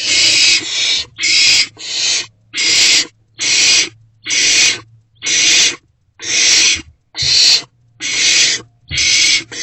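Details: Barn owlet in a nest box at night, around 1:22 to 1:30 am on 16 March 2024, swallowing a newly delivered rodent: harsh hissing screeches repeated roughly once a second, each lasting about half a second.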